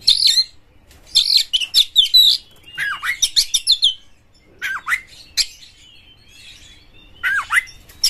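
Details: Oriental magpie-robin singing harsh lure material meant to set other magpie-robins singing: loud clusters of shrill chattering notes, then spaced sharp down-slurred whistles with rasping edges, separated by pauses.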